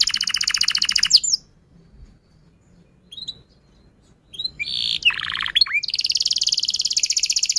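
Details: Canary singing to encourage other canaries: a dense buzzy trill, a pause with a few faint notes, then harsh slurred notes and another long rapid rattling trill.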